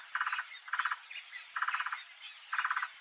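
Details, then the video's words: Male blue-crowned trogon (Trogon curucui) in Brazil calling to mark its territory in breeding season: short, fast bursts of about seven clipped mid-pitched notes, about once a second, over a steady high insect drone. "BLUE-CROWNED TROGON: Male Vocalizing!"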